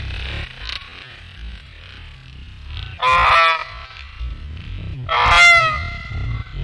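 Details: Two geese squabbling over who sits on a nest that horned owls left unused this year. Two loud, harsh, ringing honks, one near three seconds and one near five, above a low steady rumble.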